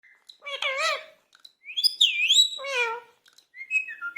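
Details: Indian ringneck parakeet described as angry, talking: wavering, speech-like syllables with rippling harmonics, then a swooping high whistle and a warbled phrase, ending in short thin whistles.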